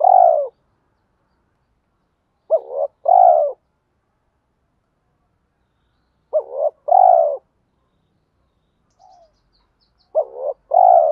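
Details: Spotted dove used as a lure bird, calling in the 'giọng thổ sấm' style to provoke rivals and bring wild doves in quickly; four low double-coo phrases, a clipped note then a longer hoot, roughly every three to four seconds.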